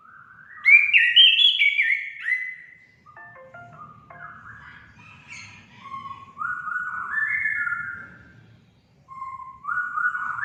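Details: Orange-headed thrush song, a therapy track to stimulate pet birds to sing: a varied run of rich whistled phrases stepping up and down, with short mimicked-sounding chirps in between and a low background hum.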